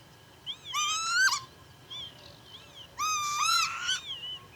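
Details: Northern lapwing (Vanellus vanellus) recorded at Pyarkovichy, Belarus, in July 2025, giving two loud, wheezy, mewing calls about two seconds apart, each slurring upward, with softer calls between.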